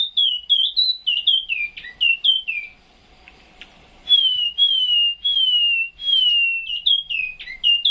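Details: Chinese hwamei singing strongly in its cage at 2 a.m. before shipment to Vũng Tàu: quick bouncing whistled phrases, a brief pause, then long pure descending whistles repeated about every second.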